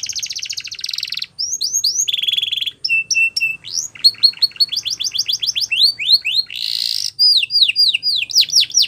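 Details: Canary song meant to stimulate other canaries to sing: fast trilled buzzy rolls alternating with rapid series of rising and falling whistled notes, shifting between tours every second or so.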